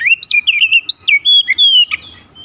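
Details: Oriental magpie-robin, roused to excitement by a rival, pouring out a fast run of looping whistled notes, high sweeps and short slurs, ending in a harsh note and then quiet.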